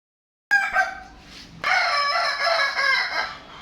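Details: Kokok Balenggek rooster crowing at a contest in Padang, Indonesia, on 8 October 2023: a loud, rich harmonic crow begins abruptly, falls away, then a long sustained wavering crow continues for about two seconds.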